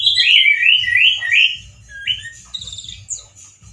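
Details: Male orange-headed thrush delivering a loud, harsh song likened to a wild bird: a quick string of warbled, downward-swooping whistles, a single rising note, then faint high twitters, with low background thumping.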